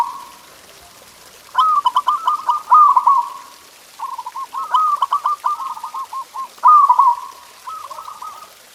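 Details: Perkutut, the zebra dove, singing to spur pet doves: three lively phrases of fast staccato coos, each ending in a rolling flourish, separated by short pauses, with a soft steady coo at the start.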